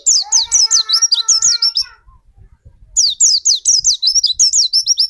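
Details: Lure song of a white-eye, played to push another white-eye into full song: two bursts of fast, sharp, high chirped notes separated by a short pause, with faint lower steady whistled tones under the first burst.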